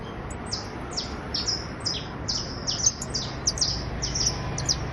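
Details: Trilling criollo basto canary: bright, very high chirps sweeping down in pitch, repeated in an even, lively series with clustered doublets toward the end, over quiet background hum.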